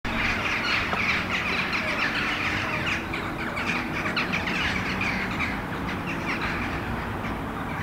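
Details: A flock of Eurasian jackdaws flying at dusk in Helsinki, Finland, in October 2015, gives a steady chorus of short, sharp 'chak' calls, many overlapping, over a low continuous rumble.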